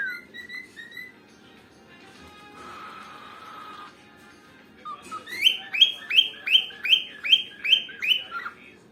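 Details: Two cockatiels playing together start with a few clear whistled notes, then after a pause give a fast, evenly spaced series of about eight sharp, downward-slurred chirps.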